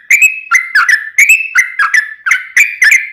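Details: Rapid-fire song of a yellow-vented bulbul used to trigger replies from other birds: clear, rolling whistled phrases, about one each half second, liquid and bubbly throughout.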